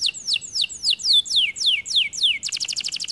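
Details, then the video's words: Canary in full song: a run of repeated descending whistled slurs, several per second, switching abruptly to a fast, even, buzzy trill of rapid pulses. "The canary sings beautifully"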